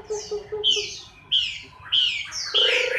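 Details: Chinese hwamei during its moult, October 2015, giving a series of clear descending whistles about every half second, with faint low pulsed notes early on.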